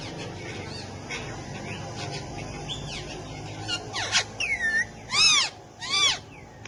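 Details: Talking pet Alexandrine parakeet, hand-tame and housed with ringneck parakeets, Urdu/Hindi speech: soft chatter building to two loud, arched, harmonic calls near the end, each about half a second long.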